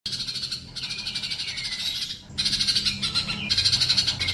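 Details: Sunbird song used as a tutor recording for training caged pet birds that sing too little: dense, high, rapid twittering in loud bursts, with thin sliding notes dropping in pitch, a brief pause midway, and a steady low hum underneath.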